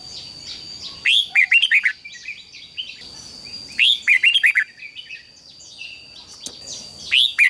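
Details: Red-whiskered bulbul singing in competition during voice training: loud, bubbly warbled phrases of quick rising and falling whistles, repeated about every three seconds with quiet gaps and a steady faint high tone behind.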